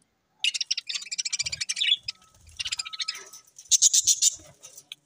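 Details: Many budgerigars kept together in a cage, recorded October 4, 2023: busy high-pitched chirping and warbled chatter in quick bursts, a short pause, then more chirps and a bright, rapid twittering run near the end.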